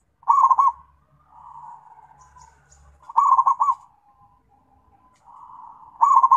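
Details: Zebra dove calling its companions: three rolling, bubbling coo phrases about every three seconds, each followed by softer trailing murmured notes.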